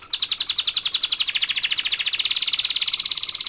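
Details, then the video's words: Canary song: a rapid, even trill of bright, high notes, about twelve per second, held steadily for over three seconds and rising slightly in pitch toward the end, with no other sounds. "عصفور كناري بصوت جميل"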